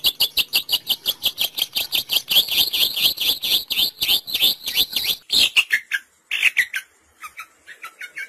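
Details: Long-tailed shrike sound played as a trapping lure: a fast run of harsh, buzzy, repeated notes, about four a second, then sparser rising and falling whistled notes toward the end.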